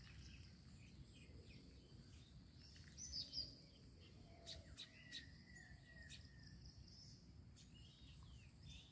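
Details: Baya weaver beside its chicks, giving a brief burst of thin, high twittering notes, followed by scattered chirps and a long, even whistled tone, with low background rumble and a faint insect hiss throughout.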